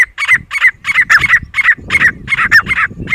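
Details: Grey francolin (titar) from the jungle, giving a rapid string of loud, harsh, two-part ringing notes, nearly three per second, with faint low-pitched noise beneath.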